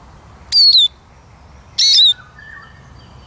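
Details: Eurasian siskin giving short high whistled notes that slide downward, about two seconds apart, with a quieter bird calling in the background.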